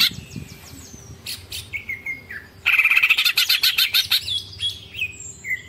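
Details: Greater green leafbird singing long ngekek with tengkek phrases: thin high whistles and short slurred notes, then a sudden loud stretch of fast rattling, buzzy chatter lasting about two seconds before whistles return.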